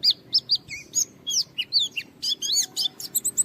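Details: White-eye challenging a rival with lively song to spur other white-eyes to sing: a quick series of high, sharply arched and down-slurred chirps, some dropping lower, spaced by short gaps over a quiet low murmur.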